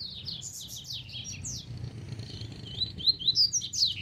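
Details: Double-collared seedeater song from a free wild bird, quick high-pitched twittering notes in a loose rapid series that gets louder and sharper toward the end, over a steady low background hum.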